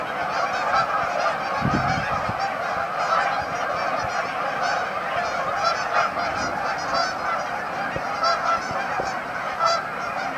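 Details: A large flock of Canada geese at a staging area on Amber Trails Lake in Winnipeg, with steady, layered honking from many birds and a few louder, sharper honks standing out.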